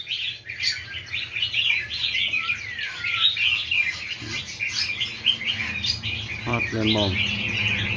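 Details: A crowd of wild-caught red-whiskered bulbuls in cages sings at once: a thick stream of sharp chirps and warbles with a clear downward-sliding whistle early on. Brief male speech comes late, over a constant low hum.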